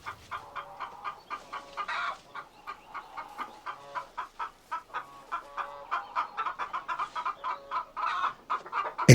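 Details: Domestic hens in a farm henhouse, where hens brood eggs in nest boxes, cluck steadily in quick, uneven runs of short throaty notes from more than one bird; a sharp knock at the very end.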